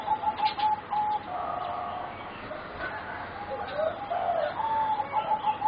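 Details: Bred singing zebra doves for competition, four youngsters aged about 3.5 to 4 months, utter repeated steady cooing notes and soft rolling trills, with overlapping birds and occasional light clicks.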